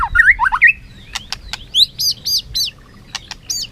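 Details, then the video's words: Singing contest of a tail-flicking white-rumped shama: quick looping warbles, then clicks and a run of short, repeated, high chevron-shaped notes. "Chòe lửa hót đấu, đập đuôi cực hay."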